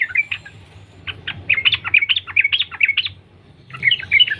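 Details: Wild sooty-headed bulbul (trucukan) in a continuous ropel lure song meant to trigger other bulbuls: quick burbling notes racing along for three seconds, a short pause, then a fresh rapid burst over low hum.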